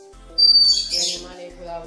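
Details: A captive goldfinch hybrid, a goldfinch–canary cross recorded in 2015, gives a clear high whistle and then a fast buzzy, twittering burst, all within about a second, over a faint low tonal background.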